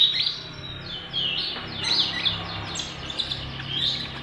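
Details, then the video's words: Caged common iora singing in trotolan style, meant to stimulate other birds to sing: varied high chirps and short slurred whistles at an irregular pace over a steady low hum. "Pancingan Konin Trotolan"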